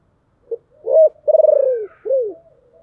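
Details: A decoy spotted dove with a deep, hoarse voice calls to attract wild birds, giving a brief note, a rising hoot, an extended quavering pulsed coo and a curved descending final note.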